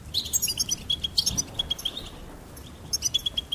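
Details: Goldfinch giving two short phrases of rapid, high repeated chirps separated by a pause of over a second, with soft low background noise.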